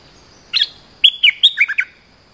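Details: Bulbul lure call, used to lure wild birds: one short chirpy burst, then a quick run of five or six bright, bubbly notes stepping downward, over a steady thin high-pitched hum.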